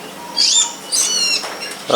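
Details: Wild long-tailed shrike of the pilis type calling in a tree behind a house: two or three short, harsh, high chattering notes, with a brief low sound at the end.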